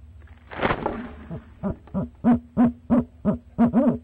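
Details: A second of scraping and rustling at a nest box, then a male barred owl calling to his mate: about eight deep, hollow hoots, the final one longer and wavering.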